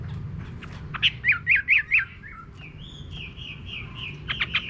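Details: Chinese hwamei in a countryside garden: four loud repeated whistled notes in quick succession, then a sustained wavering whistle and a closing flurry of sharp notes.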